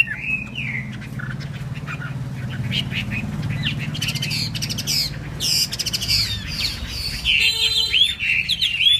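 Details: Chinese hwamei singing in a spread-feather 'eagle-wing' display: after several seconds of broad low rumble, loud whistled phrases break in, with rising and falling notes and sharp chirps growing denser toward the end.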